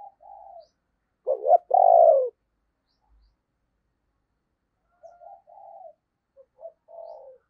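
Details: Spotted dove kept as a decoy to attract wild doves: one loud phrase of two quick notes and a drawn-out hoarse coo, between softer distant coos before and after.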